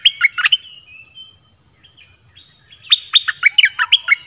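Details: Red-whiskered bulbul singing to lure wild birds, a short whistled flourish, a pause with faint softer notes, then a longer bright run of falling, ringing whistles.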